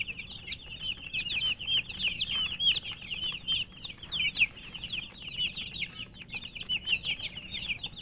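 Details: Crowd of colourful young chickens calling nonstop, a dense stream of piercing, short, downward-sliding peeps overlapping one another.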